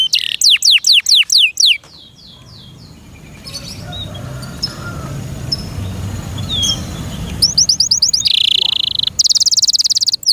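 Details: Loud singing from a canary kept by its owner. Quick descending chirps and a buzzy trill open the passage, then a quieter stretch with faint notes over background hiss, and a bright rattling trill returns at the end.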